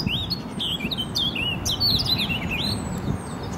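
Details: Eurasian blackcaps singing in spring 2018 in Poznań, Poland; a fast, varied warble of whistled and scratchy notes runs without pause through the whole stretch, over a steady low rumble of background noise.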